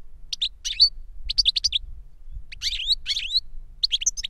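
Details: Clusters of quick, liquid twittering notes, each group lasting about half a second and separated by short pauses, from a captive goldfinch singing the reclamo style learned from a master bird's recorded song.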